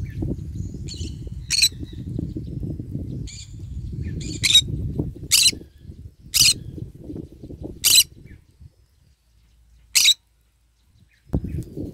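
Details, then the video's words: Green-cheeked conure eating and basking in the morning sun; a series of shrill, rasping squawks roughly every second, mixed with faint thin chirps, over a continuous low crunching or rustling background. "Parrot Sound : I am eating and singing and basking in the morning sun : Green cheek conure bird"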